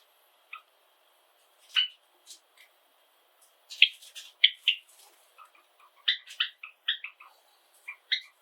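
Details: Indoor Java sparrows, seven kept together, giving scattered short chips that build into quick clusters of clicky, slurred notes in the second half, over a steady faint background hum.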